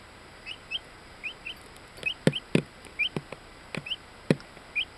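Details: Ten-day-old bantam Orpington chicks, buff laced black, in Binzen in May 2013: short upward-sliding high peeps in pairs, mixed with sharp tapping clicks and a steady background hiss.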